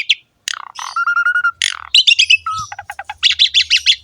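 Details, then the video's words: Jalak suren, the Asian pied starling, in ngerek song: a harsh note, a long flat whistle, squawky bursts, another short whistle, then rapid chattering rattles, over faint low hum. "BURUNG JALAK SUREN GACOR NGEREK ISTIMEWA"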